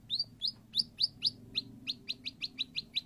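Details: White-rumped shama song used as a prompt to get a silent shama to sing: a steady series of about a dozen short, sharp, high chirps, each bending downward, spaced roughly four per second, over a low background hum.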